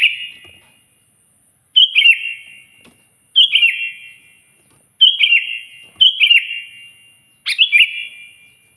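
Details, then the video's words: Persistent, loud Sooty-headed bulbul song used to call out a rival: a fading note followed by five crisp, gurgling whistled phrases at uneven intervals of one to two seconds, echoing after each. "suara burung kutilang gacor keras, paling ampuh memanggil lawan auto emosi"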